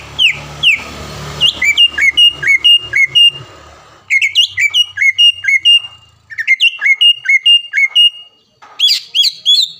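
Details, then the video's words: Greater green leafbird kept in a cage, a contest champion in Palembang, singing a training song: bursts of sharp downslurred whistles repeated in quick runs, separated by short pauses, ending in high chattering notes. "MASTERAN CUCAK IJO GACOR SPEK JUARA DENGAN ISIAN ISTIMEWAH NEMBAK PEDAS DAN RAPAT"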